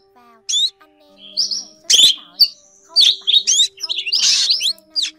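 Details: Drongo calls meant to draw the flock into nets. It has sparse high whistles, then sharp cracking rasps and buzzy scratchy phrases rising and falling, with quiet gaps and a low steady hum.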